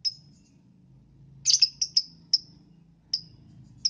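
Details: Lovebird chirping in the morning to prompt other lovebirds to sing: a lone high note, then a burst of clustered shrill chirps followed by scattered single notes, over a low background hum.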